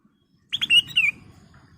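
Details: Golden-fronted leafbird lure song for training caged birds: two quick sharp notes followed by a clear whistled phrase sliding down, loud and brief against a quiet low hum.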